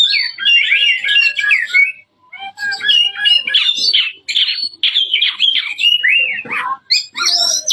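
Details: Oriental magpie-robin song, loud and rich with mimicked phrases, a varied run of whistled, warbled and buzzy notes with quick slides and chattery bursts, broken by a brief pause near two seconds.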